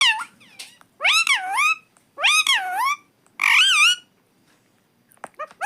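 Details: Pet parrot talking nonstop: three loud, wavy, harmonic utterances with rising and falling pitch, each about half a second long, separated by short silences, with a few faint clicks at the end.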